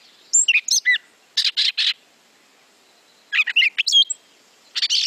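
Gray Catbird singing a rambling, unpatterned jumble of squeaky, whiny and chattering phrases, each one different, delivered in quick bursts between short pauses.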